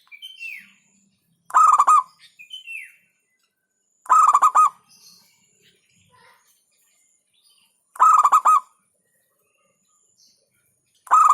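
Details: Local zebra dove (perkutut) singing: short bursts of rapid, throaty staccato coos, each about half a second, repeated roughly every three to four seconds, with faint descending whistles from another bird between phrases.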